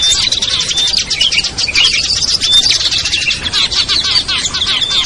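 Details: Small-bird lure sound for bringing wary birds down, mixing ciblek, kutilang, trucuk, sogon and perenjak; thick overlapping high-pitched chirps and short whistles pour out continuously, with a few clear piping notes standing out.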